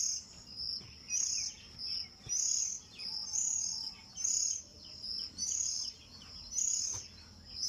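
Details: Oriental magpie-robin fledglings that have just left the nest, fed by their mother: bursts of high, thin, shrill chirping repeat roughly once a second, with faint other twitters and low background hum.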